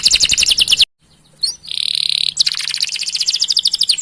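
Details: Canary song used to trigger singing in other canaries: a burst of rapid chirps, a brief silence, a sustained buzzy note, then a fast trilling roll.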